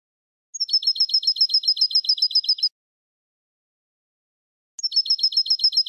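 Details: European goldfinch tutor song for young goldfinches: a regular, rapid trill of high, bell-like repeated notes for two seconds, silence, then the same trill starting again.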